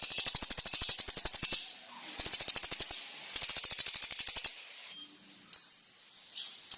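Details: Sunbird (kolibri ninja) song used to lure a response: long runs of fast, evenly spaced ticking notes, very high and metallic, in three bursts of one to one and a half seconds, then a few isolated chips.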